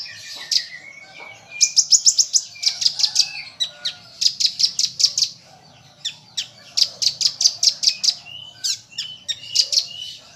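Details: Common iora (konin) song in the isian rambatan full tembakan style, a master recording for training caged songbirds: rapid bursts of sharp, high chirps in quick repeated runs, with short thin whistles between phrases and brief pauses.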